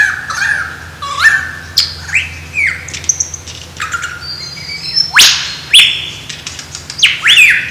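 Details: A male lyrebird, dancing to attract a mate in Australia, pours out a fast, varied medley: clear rising and falling whistles, harsh squawks and sharp downward sweeps, each phrase switching roughly every half second.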